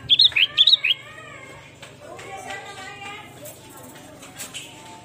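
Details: Energetic sooty-headed bulbul (kutilang) song used as a bird lure: a rapid run of about six bright, bubbly whistled notes in the first second, followed by a low murmur of background voices and scattered clicks.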